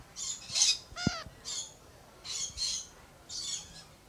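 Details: Lorikeets at Lion Country Safari in Florida, seen squabbling: short harsh high squawks in bursts, a bright descending rasp near the middle, then further scratchy squawks spaced about a second apart.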